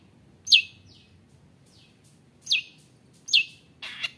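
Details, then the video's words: Long-tailed shrike calling to provoke others: sharp falling high notes with fainter echo-like slurs between, ending with a harsher buzzy burst. "CENDET GACOR ON FIRE NGAJAK GELUT⁉️ Bikin Cendet Lain Emosi ikut Gacor | Pancingan Cendet"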